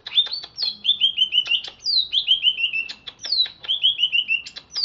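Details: Caged greater green leafbird originally from Alas Purwo, Banyuwangi, kept in Jatiasih, Bekasi, singing chattily just after a bath: bright whistled phrases stepping downward, repeated roughly every second and a half, punctuated by sharp clicking ticks.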